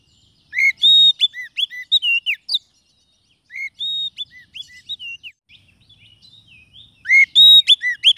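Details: Oriental magpie-robin trapping lure, also used to coax birds that are reluctant to sing: loud whistled phrases of looping upslurs and steady pure notes, given in three bursts with quiet gaps between them.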